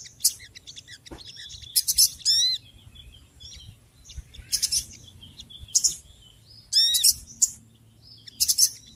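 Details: Noisy little birds giving sharp high chirps, quick buzzy bursts and a few rapid descending whistled trills, with brief pauses between clusters and faint low hum behind.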